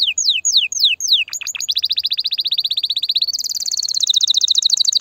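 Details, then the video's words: Canary singing loudly to excite females and prepare them for mating: fast descending whistled sweeps, then long rapid trills of buzzy repeated notes, rising into a higher trill near the end. "تغريد كناري هائج , لتجهيز الاناث على التزاوج , و بناء العش فورا"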